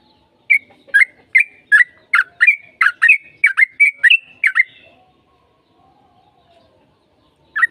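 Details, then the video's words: Sooty-headed bulbul singing actively to provoke a reply: around a dozen quick bubbly whistled notes in a steady run over four seconds, then near silence and one final note. "PANCINGAN TRUCUKAN AGAR CEPAT BUNYI Trucukan gacor TARUNG ropel panjang JADIKAN BURUNG TRUCUK NYAUT"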